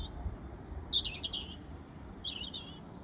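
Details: A robin sings from somewhere up high, seemingly in spring mode: thin, high warbling phrases, some very high and sweet, others slightly lower and trilled, over a low background rumble.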